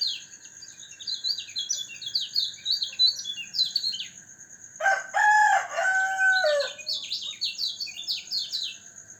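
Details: White-eye (kecial kuning) kept in a cage during dew exposure to keep it healthy and vocal: quick, high twittering phrases of downslurred chirps, interrupted midway by a loud rooster crow, then resuming, with constant high background hums.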